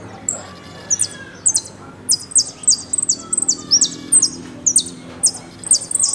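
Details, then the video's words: Argentine goldfinch (jilguero) delivering 'golpe y pitadas' song: steady, very high, buzzy double notes and short trills repeated roughly twice a second throughout, with no other clear sounds. "JILGUERO AUDIO "EL MERYL" ( golpe y pitadas)"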